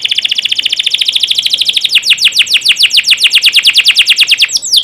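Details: Canary singing for a tutor recording aimed at young birds: a long rapid roll of short high notes, then slower, clearly separated downswept whistles repeated about twice per second, ending in a brief rising note.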